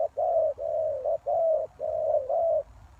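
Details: Spotted dove call used as a lure for wild doves: nearly continuous low, mellow coos run together, each a level hollow note of about half a second, with no other clear sounds.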